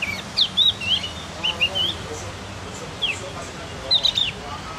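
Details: Javan Grey-throated White-eye learning to sing, giving short runs of high whistled notes rising and falling, in three bursts across five seconds, with steady background hiss.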